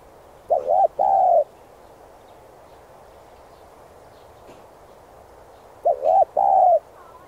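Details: Spotted dove cooing, used to train and stimulate decoy birds: two phrases about five seconds apart, each a short doubled coo followed by a longer, slightly falling coo, all low and mellow, over quiet background hiss.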